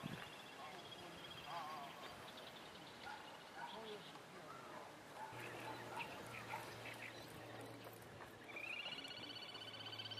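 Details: Little grebe calls as high, thin piping notes, ending in a rising trilled series, as a parent feeds newly hatched chicks torn water plants, with murmuring human voices and a low steady hum behind.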